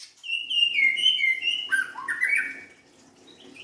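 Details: White-rumped shama singing: a run of clear, loud whistled notes near mid-high pitch, some sliding downward, then lower warbled phrases that rise again before fading to quiet.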